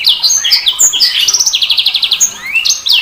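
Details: Sanger bird producing an energetic high jumble of chirps and slides, including a clear fast trill of about a dozen repeated pulsing notes, then more rising whistles.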